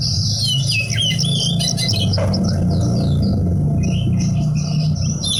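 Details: Horsfield's bush lark kept as a hobby bird, singing a rapid, varied string of high chirps, trills and wavering whistles over a steady loud low hum.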